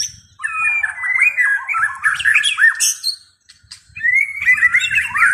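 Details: White-rumped shama voices loud, melodious whistles: a sliding phrase, a jumble of rapid liquid notes, a brief pause, then another warbled run, with faint low background noise.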